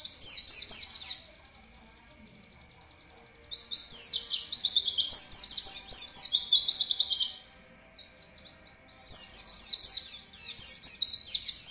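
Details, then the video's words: Three bursts of high, busy twittering from an oriental white-eye in full gacor voice, each a tumble of quick sliding chirps lasting a few seconds, separated by near-silent pauses of about two seconds. "pleci bukpar gacor"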